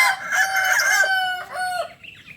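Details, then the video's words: A Kukuak Balenggek chicken from Solok gives a loud, rich crow, a long drawn note that dips and rises, then a second, shorter tiered phrase trailing into quieter ends. "Ayam kukuak balenggek ayam asli solok"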